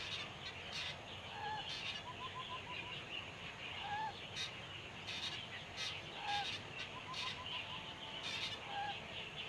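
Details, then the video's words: Eurasian coot recorded at Pingtung Biotechnology Park, Taiwan: short, clipped notes repeated at irregular intervals, some in quick chattering runs, with sharp clicks and a steady background hiss. "Eurasian Coot / 白冠雞"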